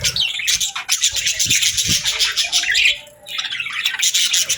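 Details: Happy budgies chirping: bursts of sharp high chirps and buzzy warbles, one clear falling sweep near the three-second mark, a short quiet dip, then renewed busy chatter.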